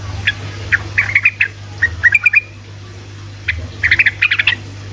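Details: Sooty-headed bulbul in energetic ropelan singing, used as a lure to make lazy bulbuls answer: bursts of bubbly, chirpy notes in quick clusters, separated by a short pause, over a steady low hum.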